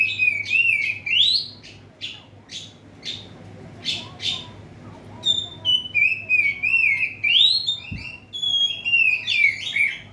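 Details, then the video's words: Oriental magpie-robin singing from inside a covered cage to provoke opponents: rich whistled warbling gives way to a series of rapid clipped notes, then returns to long, fluid, wavering whistled phrases over a steady low hum. "Burung kacer gacor di dalam krodong bikin mancing emosi lawan"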